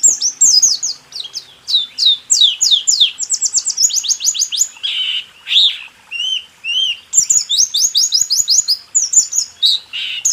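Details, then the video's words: White-eye 'rool tembak' song from a 2023 training recording for caged songbirds: long, continuous twittering of fast downward-sweeping notes, with a few lower, buzzier notes in the middle before the rapid sweeps return. "Masteran burung pleci..rool tembak"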